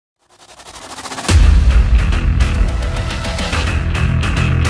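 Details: Loud driving music with heavy beats starts after a short rising swell.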